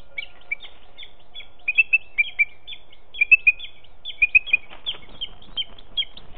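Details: A young booted eagle that has just left the nest calls nearby while the male brings prey to the nest in July; bright, clipped chirping notes in bursts of two to three, repeated steadily, with faint rustling behind.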